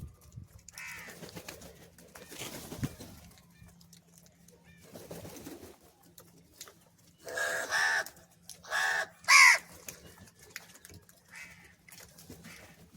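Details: A crow being fed different foods, calling for cheese: faint scattered calls early on, then three loud, harsh, burst-like caws close together between about seven and nine and a half seconds, over a steady low hum.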